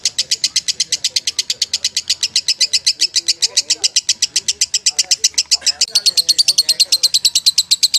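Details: Champion lovebird chattering in a nonstop rapid stream of shrill, buzzy notes. The notes grow slightly brighter toward the end, with low voices murmuring in the background.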